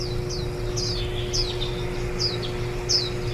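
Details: Warbling white-eye feeding nestlings on 23 July 2018, the day before fledging, recorded at the nest. Rapid, high, down-slurred chirps repeat several times a second in loose series, over a faint low hum.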